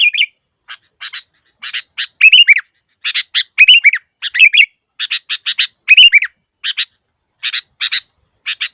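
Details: Sooty-headed bulbul lure song for trapping, a steady stream of short chirps in pairs and triplets broken by bright, bubbling whistled phrases, with nothing else audible.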